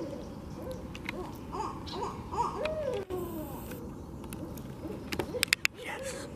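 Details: Barred owls calling with scattered hoots and a rising-falling wail, quieter and more broken, followed by a few sharp clicks and knocks near the end.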